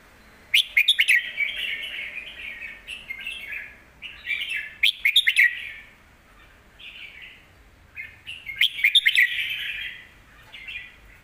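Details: Caged Red-whiskered bulbul gives a strong, full song as a lesson for young birds. Three loud bursts of bright, clicking notes come about four seconds apart, each followed by flowing warbled phrases, with quiet between them.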